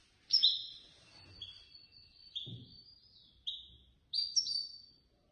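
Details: European goldfinch placed third in a Casablanca bird association contest; sharp high notes and sustained thin whistled tones come in short separated bursts, with faint low knocks between them.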